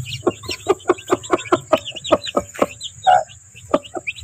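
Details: Clucking from desi chickens on a Pakistani farm with chicks and eggs: a regular series of clipped clucks, roughly four per second, then a pause and one longer, fuller note, with a constant thin high whine behind.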